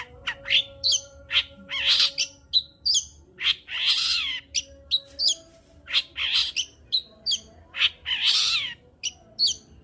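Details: Long-tailed shrike in full song, a lure recording used to stir breeding mood in reluctant shrikes. Harsh, scratchy broadband bursts alternate with short high whistled notes, repeated in a rapid uneven series, with a faint low background hum.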